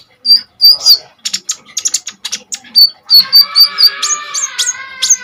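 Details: Energetic Common iora song used to train kolibri ninja birds; sharp chirps and clicks, then a run of five or six short whistled notes over a sustained harmonic tone, ending in high slurred notes.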